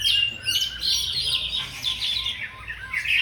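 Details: Greater green leafbird singing at a songbird competition: loud, rapid, continuous warbling of high chirps, trills and squeaky notes, with quick pitch slides and no pauses. Other contest birds may be calling alongside.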